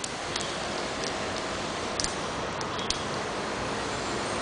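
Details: Even hissing background noise broken by a few sharp ticks, with no animal calls.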